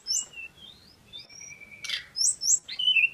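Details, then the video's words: A short passage of male Pygmy cupwing song: thin high whistles and a long level tone cut by a sudden buzzy burst, then quick bright chirps and downslurred notes. "TERLALU KEREN BURUNG SEKECIL INI KALO SUDAH GACOR...TLEDEKAN GUNUNG JANTAN FULL SENYUM"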